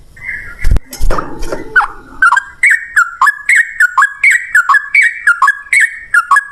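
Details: Sooty-headed bulbul delivering lively 'ropel ngalas' song as a lure for replies; after about two seconds of knocking and rustling noise, clear whistled down-up phrases repeat steadily and briskly.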